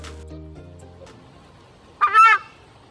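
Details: A Southern Screamer (chajá), a watchful guardian bird said to cry "chajá" when it takes flight at danger, gives one loud, harsh, honking scream under half a second, preceded by soft sustained musical tones.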